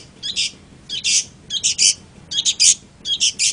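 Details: Long-tailed shrike repeating grating, scratchy note clusters, each group of two to four rasps separated by short pauses, steady and insistent.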